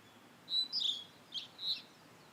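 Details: Singing blue-and-white flycatcher in satoyama countryside: four clear high whistled notes in two pairs, the second of each pair slightly lower and richer, with a quiet background.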